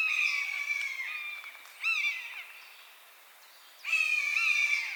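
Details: Mewing cries of a buzzard in its natural habitat: long, level, nasal screams that droop at the end, one at the start, a short one near two seconds and another near the end, over a faint hiss of background.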